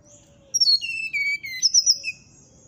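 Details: Morning song from a brown-chested jungle flycatcher: a clear whistled phrase sliding down through several steady notes, then a rising, high-pitched warble, over faint background noise.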